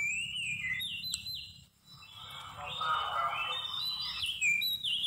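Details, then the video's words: Seychelles magpie-robin song played as a trapping lure, November 2016: clear whistled phrases sliding between high and mid pitches, broken by a short pause, with a hissy mid-pitched wash under the later notes. "Trapping bird Seychelles magpie-robin attractive and most exciting"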